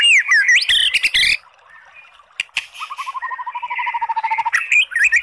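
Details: Oriental magpie-robin singing to stir a sluggish bird into song: loud slurred whistles, a pause, then a long fast trill of evenly repeated low notes and more whistles.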